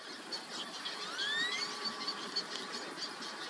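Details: Black-bellied whistling ducks, two families bathing and preening in a lake after a long swim on a morning near 100F; thin rising whistled notes sweep upward, with a steady high insect hiss throughout.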